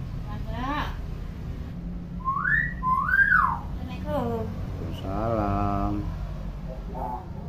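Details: Tame talking hill myna that imitates all kinds of sounds with a clear voice: a run of whistled notes, swooping up and down and one rapidly trilled, mixed with low indoor background noise and human speech.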